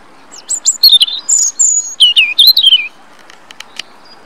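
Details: European robin singing in Rombergpark, Dortmund, on 27 March 2013, recorded with a Panasonic Lumix GH3 camera: a quick run of high, thin, tumbling warbled phrases with sliding whistles and trills, ending after about three seconds in quiet.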